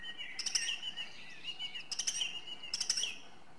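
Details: Song thrush (Turdus philomelos) singing a clear, high, rippling phrase three times in quick succession, each about a third of a second long, with a thin whistle running between them.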